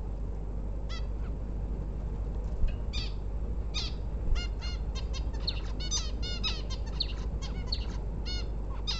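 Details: A female bulbul, ready to lay eggs, utters a rapid series of bright, bending notes. They start sparse, then crowd into a dense chattering run, with a heavy low hum throughout.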